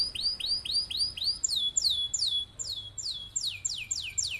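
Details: Canary singing a long rolling song meant as a master to teach other birds: rapid bright repeated notes, first rising arcs then sharper downward-sweeping whistles, about four per second.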